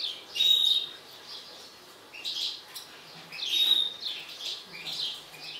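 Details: European goldfinch of a mutant colour form, agitated, giving high twittering phrases about a second apart, each opening with a thin level whistle followed by rapid buzzy chirps.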